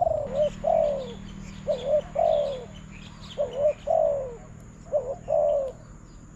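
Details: Spotted dove singing to a decoy in a bird-trapping contest: repeated mellow cooing phrases, a short clipped note then a drawn-out descending coo, about four phrases, with faint chirps from other birds behind.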